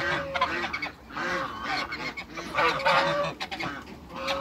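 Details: African geese, a pair living in a backyard alongside other waterbirds, honk in a busy overlapping series of nasal calls, joined by lower chattering notes from other birds.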